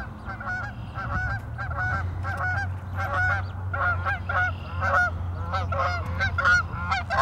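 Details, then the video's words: Geese honking at Warner Park Lagoon on Madison's Northside, Wisconsin: clear, bright nasal honks in quick pairs and clusters, roughly one or two a second, with a deep steady hum beneath. "Geese in Warner Park Lagoon"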